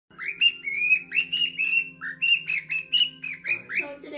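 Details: Pet cockatiel singing to its owner's foot on Halloween, possibly the "Twisted Nerve" tune: a steady run of bright, slightly rising chirped notes about four per second, ending in a rougher squawky burst, with people talking afterwards.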